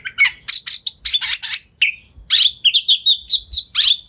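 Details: Fast, dense lure song from an Oriental magpie-robin, tail spread, meant to trigger replies from other magpie-robins; harsh rasping chatter bursts, then a run of rapid repeated sweet whistled notes around one pitch.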